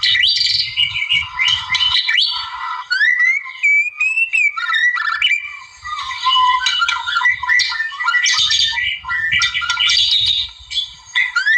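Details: White-rumped shama from the wild, singing to provoke a rival: clear gliding whistles and rising slurs alternate with buzzy chatter, including a brief quieter gap near the five-second mark.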